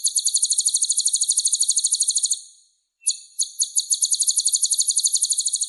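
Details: Kolibri ninja (sunbird) with a full repertoire, tutoring other songbirds: a steady high rapid trill, a short silence, then the trill resumes after a few spaced opening notes.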